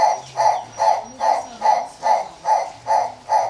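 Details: Fischer's turaco calling at Antwerp zoo, a steady series of hoarse, croaking notes, about two or three each second, with a faint low hum underneath.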